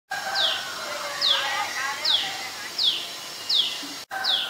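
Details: Adult common tailorbird, a common resident, recorded in Ubon Ratchathani, Thailand, on 11 April 2022: loud, high notes sweeping sharply downward, repeated about every 0.7 seconds, six notes in all, with softer warbling from other birds below.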